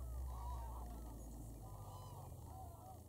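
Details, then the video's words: Flock of geese honking as they take off and land at Wicken Fen and Burwell Fen, 23 September 2016 at dusk; rapid overlapping honks over deep rumbling background. "Lots of Geese take off & land"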